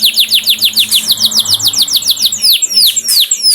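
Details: High canary song used to coax caged canaries into full song: a chain of quick downward-sweeping notes, about three or four each second, some doubled, with a thin steady tone underneath for part of the phrase.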